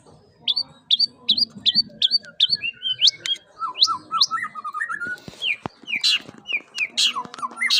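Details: White-rumped Shama, a male with 'pentet' fill-in phrases in its song: a series of clear, rising whistled notes, then lower fluid warbles and loud, sharp high bursts, varied and energetic.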